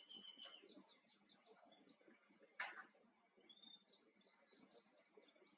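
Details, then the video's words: Male wild Island canary singing on Tenerife. Fast series of bright, high trilled notes repeat in quick runs. A sharp knock interrupts midway, then the rolling trills resume. Faint rural background. "Island Canary♂ on Tenerife"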